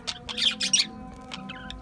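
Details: A brief burst of Australian budgie chirping: a few quick, scratchy warbled notes, then softer chirps fading off, with a low hum behind.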